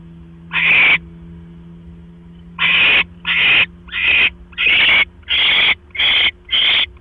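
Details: At a nest on the night of October 12, 2015, around 9:40 PM, an owl delivers a mouse. One rasping hiss sounds, then after a pause a run of seven uneven hissing screeches, with a low hum underneath.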